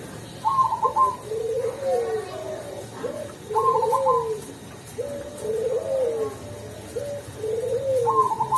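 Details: A Cemani zebra dove repeats its mellow song about every three seconds, a short high trill followed by deeper rolling, cooing notes, with a faint room hum behind.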